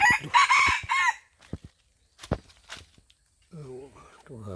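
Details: Old wild red junglefowl from Aceh, Indrapuri, Indonesia: one loud, harmonic crow of about a second with stepped, wavering notes, followed by scattered clicks, thumps and human voices.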